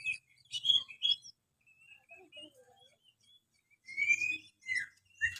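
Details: Oriental magpie-robin in full song, used to encourage lazy magpie-robins to sing more often: short bright whistled and chattering notes, a quieter run of soft varied phrases in the middle, then loud sweet notes again.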